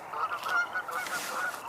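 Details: Several geese vocalizing across the way honk in a quick overlapping run of nasal, mid-pitched calls, four or five in under two seconds, with faint background hiss, 4/9/2022; finding: goose.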